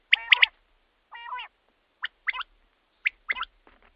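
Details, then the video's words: Common quail calling, a recording used at night to lure quail for hunting: two soft, nasal, wavering notes, then sharp high whistled phrases of one clipped note followed by a quick double note, repeated. "batair ki awaz raat k liye | quail calling"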